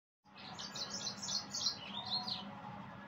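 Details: Yellow-fronted canary singing: a rapid, high, sweet warbling phrase of quick chirps and trills that runs on for about three seconds, sometimes dipping slightly lower, over a quiet background.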